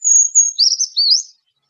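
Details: Brown Creeper, a very high-pitched, often upper-canopy species, sings its 'trees, trees, beautiful trees' song: very high, thin notes, two sustained opening tones, then a quick wavering jumble dropping and rising, about one and a quarter seconds. No other sounds.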